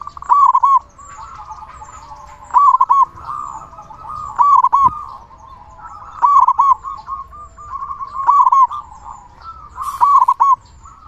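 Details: Local zebra dove with a big voice, singing vigorously as a lure to stimulate other zebra doves; loud, rounded, stuttering coo phrases repeat about every two seconds, six in all, linked by a continuous soft purring trill.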